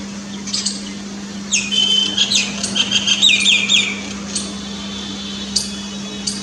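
A myna gives a run of harsh, chattering notes and squawks with brief whistled tones, mostly high-pitched, in bursts over a few seconds against a steady low hum.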